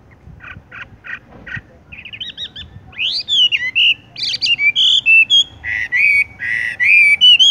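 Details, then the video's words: Song of a Horsfield's bush lark in the 'tung roll' style: a few short spaced chirps first, then a louder, rapid stream of varied whistles and twangy notes, some rising, some falling, in an irregular rolling phrase. "wambie tung roll gantung langsung ngerol"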